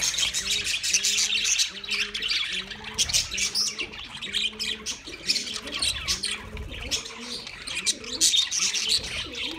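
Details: Several pet budgerigars singing: constant high chattering warble and squawks, with a lower repeated two-note sound pulsing beneath roughly every second throughout.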